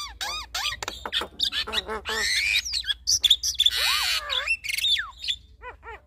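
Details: A male and a female Javan myna sing a duet of varied notes: looping whistles and harsh squawks, a drawn-out screechy phrase with a falling whistle, then soft chirps at the end.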